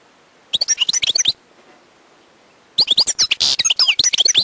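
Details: Wild European goldfinch singing two bursts of fast twittering and liquid chirps, separated by more than a second of silence; the second burst includes a buzzy rasp.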